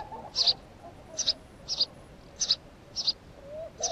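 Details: House sparrow giving short, high chirps, six evenly spaced over four seconds, each a bright clipped note, with a faint low hum beneath.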